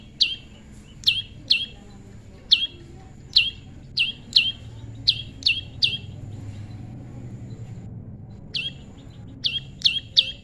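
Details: A tame prinia (prenjak lumut) gives sharp, high, downslurred chirps, repeated about every half second to a second, with a brief pause before resuming, over a faint low rumble.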